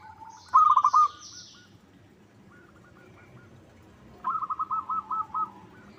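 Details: Lure call of a local zebra dove, used to prompt rival birds to sing back: a loud burst of quick stuttered cooing notes, then a faint echo-like phrase and a longer rolling series of rapid pulses.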